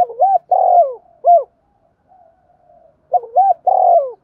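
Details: Decoy spotted dove calling to lure other doves: short, low, hoarse cooing notes in quick bursts, one group, then a pause of about two seconds with faint soft notes, then another burst; quiet background.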